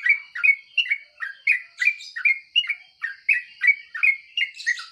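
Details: Yellow-vented bulbul in the morning uttering a quick series of short, bubbly, downward-slurred chirps, roughly three per second, over a steady thin high hum.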